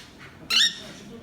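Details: A cockatiel, while having a meal, gives a single short, harsh, screechy chirp rich in high harmonics.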